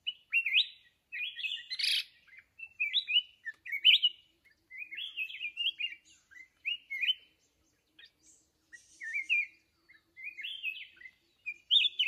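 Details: A wild mountain red-whiskered bulbul, recorded during decoy trapping, sings short, bright, bubbling whistled phrases, each under a second, repeated almost continuously with brief gaps. A few faint, high chips sound in between.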